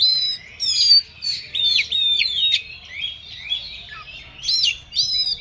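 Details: Agitated Oriental magpie-robin delivering rapid, excited song: looping whistled phrases, quick up-and-down slurs and scratchy buzzing bursts, tightly packed with brief pauses and a quiet background.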